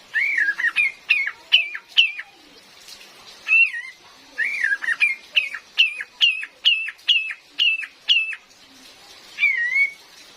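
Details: Female cream-vented bulbul, a lure for forest trapping, heard with real rain: long lively runs of sharp downslurred whistles mixed with wavering warbled notes, about two per second, a brief pause mid-sequence, rain hissing throughout.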